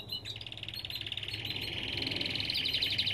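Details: Belgian canary in an aviary delivering a continuous rapid rolling trill that grows louder toward the end, with a low background hum.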